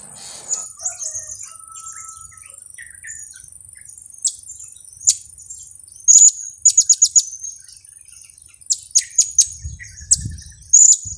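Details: Blue-crowned hanging parrot kiak call, used to lure birds for trapping: scattered high chirps build into rapid bursts of sharp, shrill notes repeated in quick runs, with a faint low thump near the end and a steady high whine.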